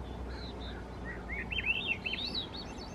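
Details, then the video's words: Swainson's thrush singing in the Squamish River estuary: a spiralling phrase of flute-like whistled notes climbing steadily upward, quiet at first then louder, each note looping rapidly, over a low background rumble. "Swainson's Thrush Singing"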